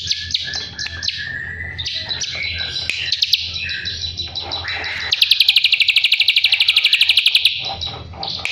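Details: Drongo song used to train a white-rumped shama: varied chattering phrases with some lower whistled notes, then a loud rapid trill of evenly spaced pulses lasting about two seconds.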